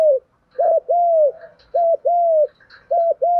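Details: Spotted doves, male and female, cooing in the thúc gù and gù đấu styles used to stir birds for training: three paired phrases, each a short clipped coo followed by a longer level coo, about one per second.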